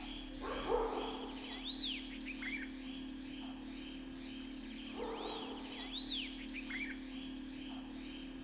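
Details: Grey-winged Blackbird in the Indian Himalaya giving clear, arching fluty whistles in two short phrases about four seconds apart, with rough low bursts like a distant dog's bark and a steady hum.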